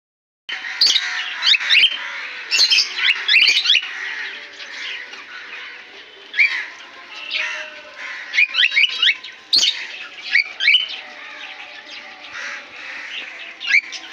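Cockatiels chatter with bright, scratchy chirps and squawks, several birds calling over one another.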